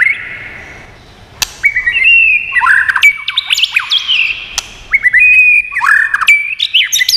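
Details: White-rumped shama song used to stimulate and train birds, rich and many-voiced: bursts of loud whistled phrases, fast downslurred and warbled notes, and sharp clicking snaps near the start and middle, with pauses between phrases and no other sounds.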